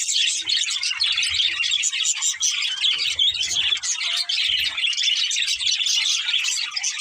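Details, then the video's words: Steady high-pitched chirping and warbling from a pair of budgies, a dense, unbroken twitter of scratchy tweets over a few soft low thuds. "Cute Budgies Chirping Sounds"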